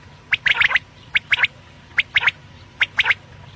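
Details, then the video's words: Quail calling in the morning, recorded for use as a lure: short, sharp, squawky notes in quick clusters of two or three, the clusters repeated roughly every second over faint low background hum. "Batair sound Subha k Liye"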